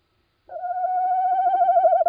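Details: Single little owl call at night, 17 March 2016, 01:56: one sustained, tremulous hooting note lasting over a second and a half, rising slightly toward its end, with no other sounds.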